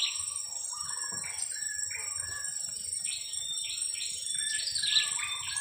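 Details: Young blue-crowned hanging parrot aged two weeks, kept as a lure, calls with a busy series of squeaky chirps rising and falling in pitch, over steady high insect buzzing and faint low background rumble.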